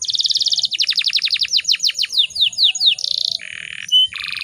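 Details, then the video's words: Female canary calling to goad males into singing: a rapid rattling roll, then a string of down-slurred whistles about every quarter second, a buzzy tour, a pure note and a final rattle. "PANCINGAN KENARI BAHAN AGAR CEPAT BUNYI"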